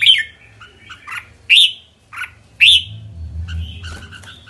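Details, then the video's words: Three loud rising chirps about a second apart from a red-whiskered bulbul, the kekek call, with softer notes between; a low rumble and a faint clatter follow at the end. "Merbah jambul kekek"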